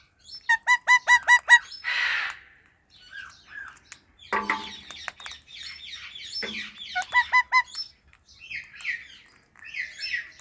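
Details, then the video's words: Talking rose-ringed parakeet eating guava: a quick burst of clucking two-toned notes, a hiss, mixed chatter and crunching, a second clucking burst, then soft squeaky chirps at the end. "Talking Ringneck Parrot Making Cute Sounds"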